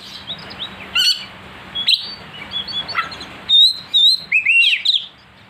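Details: Kacer, or oriental magpie-robin, goaded into emotional, fierce singing: scattered sharp chirps build into a dense run of piercing whistled and slurred notes in the second half, over a steady low hum.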